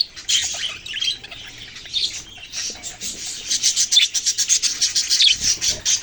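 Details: Chirping baby budgerigars, a scratchy, rasping chatter of overlapping high notes that grows into a louder run of quick pulsed chirps in the second half.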